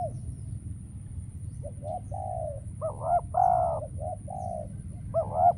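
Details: Spotted dove acting as a decoy in a trap, no wild birds answering: soft coos build into a louder rolling coo phrase, then a final upturned double note, over steady low rumble.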